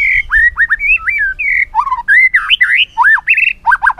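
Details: White-rumped shama, song used to teach other shamas: a continuous stream of rich whistled slurs, some rising and some dipping, in short phrases with brief gaps.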